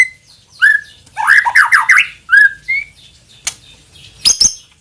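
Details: White-rumped shama lure song meant to provoke other shamas into full song: a rising whistle, then a quick tumbling run of slurred whistled notes, another whistle, and harsh clicks and rasping bursts near the end.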